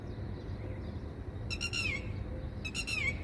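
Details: A nesting red-wattled lapwing parent on a Dubai campus rooftop, guarding its four chicks in spring as a person approaches, gives two sharp, strident alarm calls about a second apart, each falling in pitch, over low wind rumble.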